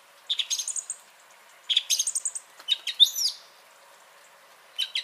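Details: Song thrush singing on 30 January 2021, loud, high, whistled and chattering phrases, the first phrase given twice, with short pauses between bursts; no other sounds stand out.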